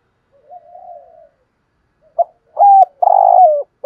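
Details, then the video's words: Spotted dove of the thổ sấm voice style cooing: a soft, low murmured coo, a pause, then a loud phrase of short hoots and a long throbbing note that slides downward. "chim cu gáy ra nhiều bài"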